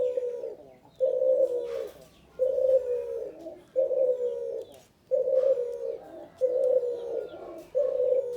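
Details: Male spotted dove calling persistently: a regular run of seven soft, level coos, each nearly a second long, at an even rhythm, with faint rustling behind.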